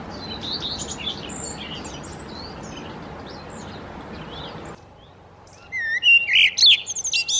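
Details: Male common redstart defending its nesting territory while feeding young, May–June 2018, singing a short bright phrase of high sweet notes breaking into a quick twitter, after several seconds of rushing noise with other birds chirping.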